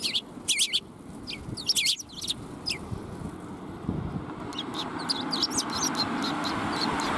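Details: Sparrows coming to be fed at a shrine's front approach, 17 March 2021: sharp high chirps in short bursts, clustered early then scattered, over steady traffic rumble.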